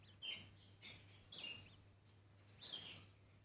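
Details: Bourke's parrot mother feeding a chick, with four scratchy, high-pitched chirps spaced about half a second to a second apart over a soft low hum.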